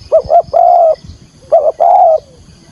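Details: Spotted dove, a lure bird calling for trapping in Vietnam: clear loud cooing, two short notes then a long even coo, repeated once with a short note and a long coo that slides down at its end.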